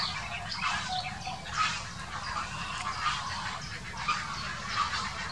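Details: Grey herons in a dispute, filmed 2018, give a run of coarse, rasping croaks at uneven intervals, each call a short harsh burst, with a constant low hum underneath.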